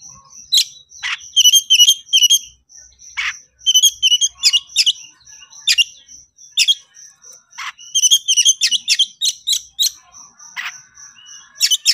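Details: Agitated Oriental magpie-robin, known locally as kacer konslet, calling out a rival: rapid bursts of sharp, clipped whistles and rattling notes in irregular clusters, over a steady high pulsing tone that runs throughout.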